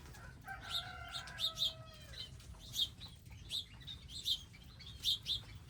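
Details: At a garden bird feeding area, wild birds give sharp high chirps in pairs, about one each second, after a soft descending tonal note near the start; steady low hum behind.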